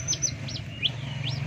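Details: Yellow-vented bulbul (locally trucuk) in Bengkulu Utara, Indonesia, recorded as tutor song for white-rumped shamas, gives four short, bright, arched whistled notes about half a second apart over a steady low hum.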